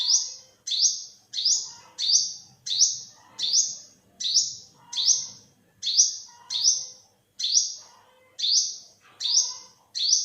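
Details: Olive-backed sunbird calling in 2021: a steady run of about fourteen piercing, up-swept notes, each ending in a short level tone, repeated at a brisk, even pace with soft low background noise.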